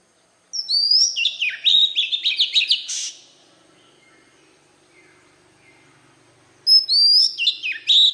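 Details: Wild-type voice of an Oriental magpie-robin, used to excite newly caught birds: a lively phrase of high slurred whistles and quick chirps lasting about two and a half seconds, silence, then a fresh phrase starting with a clear rising whistle.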